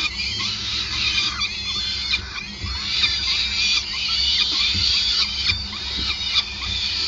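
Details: Peregrine falcons at the nest on the Gasunie site in Groningen, 5 May 2020, during a long feeding; rapid, dense, overlapping shrill squeals and chatters over a steady low hum.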